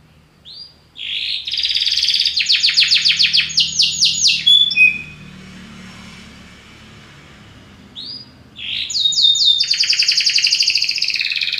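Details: Belgian canary singing powerfully: a bright rising note, then rapid rattling trills and repeated clipped phrases, a pause of near silence, then the same trilled phrases resuming; faint low hum underneath.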